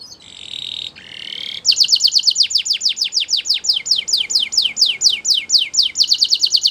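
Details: Belgian canary song used for training young canaries: two short harsh buzzy notes open, followed by a long run of rapid, evenly repeated downward-sweeping high whistles.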